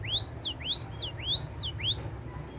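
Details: Munia in full, rolling song with canary-style filling: loud upward-sweeping whistles, each followed by a quick down-slurred note, repeated roughly every half second over a faint low hum.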